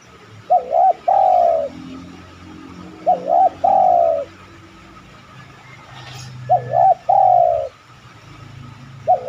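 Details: Repeated cooing of a spotted dove, played to make other doves answer. A wavering two-note start and a long, gently falling coo recur about every three seconds. The setting is otherwise quiet.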